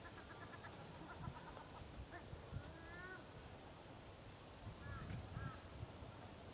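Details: Male Australian wood duck, also called maned duck, recorded in Australia on 10 July 2011: faint, drawn-out nasal calls with a wavering rise, followed by a few short higher notes, over a soft background hiss.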